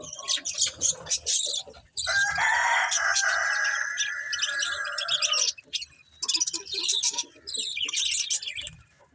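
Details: Budgies chatter with scratchy high chirps, then one bird holds a long, buzzy, harmonic warble for several seconds before the chirping chatter resumes.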